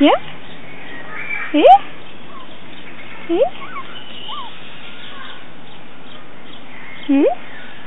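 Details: Crested guan at Vida Silvestre, Mexico City, Mexico: loud, sharply upslurred yelping notes, given singly or in short pairs roughly every two seconds, with faint chirping from other birds in the background.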